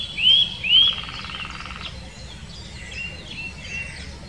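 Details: Eurasian nuthatch in the Wittlicher Senke: two loud, clear, upslurred whistled notes in quick succession, then a softer buzzy, rattling sound and faint background birds.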